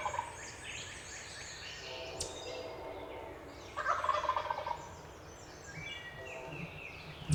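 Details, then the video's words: Male wild turkey gobbling from its roost during a spring hunt on remote public land in Pennsylvania; one rattling gobble burst midway stands out against a busy dawn chorus of songbirds, with other faint low rolls near the start and end. "BEST GOBBLING bird of the 2020 season!"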